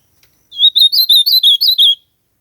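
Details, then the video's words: Outdoors in nature, an ultramarine grosbeak delivers a loud, clear warbling phrase. About nine short looping notes tumble quickly in sequence for around a second and a half, then stop. "AZULAO CANTANDO MUITO NA NATUREZA ESQUENTAR SEU AZULAO COM ESSE CANTO"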